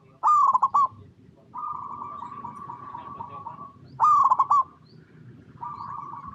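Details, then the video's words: Zebra dove of local stock singing, played as a lure for other zebra doves: two loud bursts of rapid stuttering coos about four seconds apart, each followed by a softer, sustained rolling coo, over faint background noise. "Perkutut Lokal Gacor RAJA PIKAT Paling AMPUH | SUARA Bikin Semua Burung Perkutut Langsung Nyaut"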